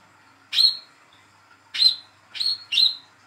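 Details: Hand-reared young speckled Olive-backed sunbird calling to get silent birds singing: four bright chirps, a single one, a pause, then three close together.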